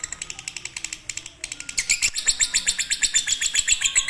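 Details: Master song of a konslet-style fighter lovebird for birds slow to sing: softer scattered chirps at first, then a pause and a louder, rapid, steady run of sharp high notes.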